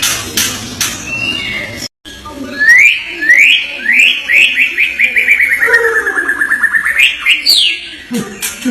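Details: Indonesian murai batu, the white-rumped shama, in full song: a few sharp high chips, then a series of rising whistled slurs that speed into a rapid falling trill and end on loud piercing upswept whistles.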